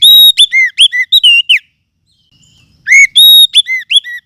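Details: Forest oriental magpie-robin lure song, suited for tutoring captive birds: a dense burst of loud, pure whistles, some rising and some falling, a silent gap of over a second, then the same varied whistled phrase again.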